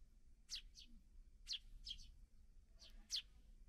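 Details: Young sparrows newly out of the nest calling while parents feed them; paired high, piercing chirps, each main note followed by a softer echoing one, in three bursts about a second apart, with low rumble beneath.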